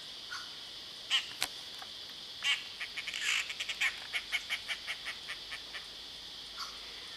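Dollarbird giving harsh, rasping chack notes: a few single calls, then a quick cackling run of about ten that slows and fades, over a steady high hiss.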